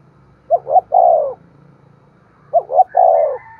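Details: Cooing of a spotted dove meant to stir other doves into cooing: a pair of low phrases, each with two quick clipped notes and a sustained sinking coo, repeated after two seconds. A faint thin whistle-like tone enters near the end.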